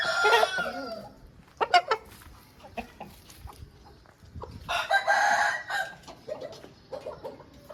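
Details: Aseel rooster crowing twice, a harsh, drawn-out crow at the start and another near the middle, with scattered short clucks and clicks between them.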